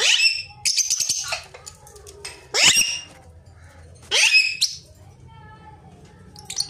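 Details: Pet ringneck parrot calls in repeated bursts: several loud, harsh screeches with rising sweeps, spaced a second or more apart, mixed with short chattering squeaks over a low hum.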